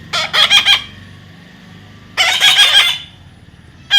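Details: Pet parrot outdoors lets out rapid pulsed, raspy squawks, a stuttering burst of four, then a longer harsh screech, then another starting at the end, as its owner calls it to come here.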